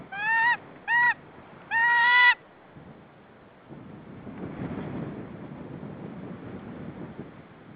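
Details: Female white-tailed eagle at her nest in Saunja, Estonia, on 15 March 2013 around 16:45, calling her mate to take over nesting: three loud, rich yelping notes in quick bursts, then rustling and low background noise.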